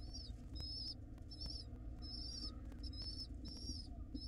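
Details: Hungry wild pigeon nestlings being fed by their mother at a nest box, giving thin, squealing peeps in groups of two or three about every half second over a steady low rumble.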